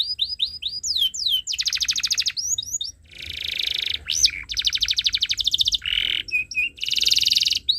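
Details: Canary used as a learning model for young birds, rich varied song mixing quick falling whistles, dense rattling trills, a low buzzy note and paired short piping calls with hardly a pause.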